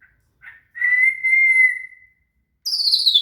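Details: Shama (murai) song used as training material for a cililin: a long, steady whistled note near mid pitch, held over a second, preceded by a short soft note and followed by a sharp, high buzzy burst.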